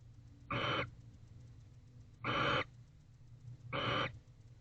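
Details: Wild barn owl pair in a nest box on an October 2024 night, affectionate after mating; three loud broadband hissing screeches spaced over a second apart above faint hum.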